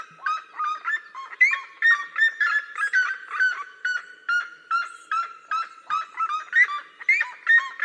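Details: Cerrado seriema pair in a duet, their high, ringing yelps overlapping in an irregular stream of barking notes, some sliding upward, continuing without pause for nearly eight seconds.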